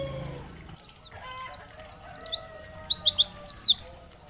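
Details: Oriental white-eye, dakbal type, singing in a training recording meant to stimulate other white-eyes to respond and sing: after a quieter start with faint low tones, a rapid run of very high, thin chirping notes builds into dense slurred twitters.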